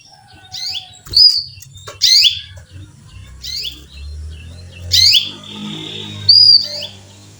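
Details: Canary hen calling to a male with bright, sharp chirps about one second apart and thin whistled tails, over a low background hum.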